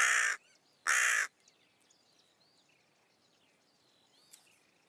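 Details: Hooded Crow of forest edges in Russia giving two harsh, hoarse caws about half a second apart, then quiet with faint thin whistles and chirps of other birds in the background.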